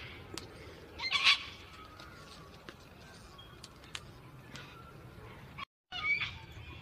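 A gang-gang cockatoo gives a harsh, creaky rasp, then a second grating call about five seconds later, over faint background rustle.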